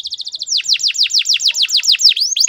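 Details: Canary singing a long rolling song with pauses, used to teach young birds their sounds: a fast trill of high chirps gives way to repeated sharply descending sweeps, about five per second, clean with no background.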